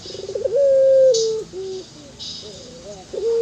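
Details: Local ringneck dove giving a favoured anggungan-style coo: a quick rolling stutter sweeps up into a long, steady, slightly falling held note, then softer short dipping coos follow, with faint hiss in the background.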